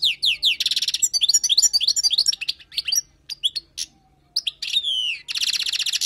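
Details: Wild goldfinch singing a tutoring song: rapid descending twitters and buzzy trills, a brief pause, then a slurred whistle leading into a dense buzzy rattle.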